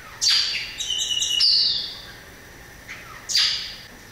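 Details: Song of a variable oriole: a loud, harsh, rasping burst with high whistled tones held for about a second, then a pause and a second scratchy, noisy burst.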